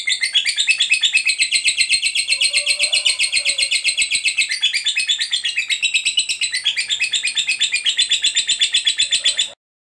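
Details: Long 'ngekek' trill of a fighter lovebird, meant to stimulate lovebirds that have stopped singing: an extended, very rapid harsh chatter of buzzy notes, continuous for over nine seconds before stopping abruptly, with a faint lower chirp beneath.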